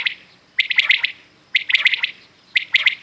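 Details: Loud, clear three-note calls of a common quail at dawn-time, each phrase a rapid sharp triplet, delivered three times at steady one-second spacing.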